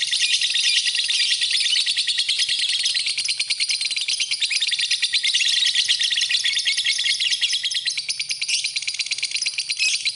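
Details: Tutor-recording lovebird song for training birds: nonstop high chatter built from rapid ticking chirps, slightly raspy, holding an even intensity over about ten seconds.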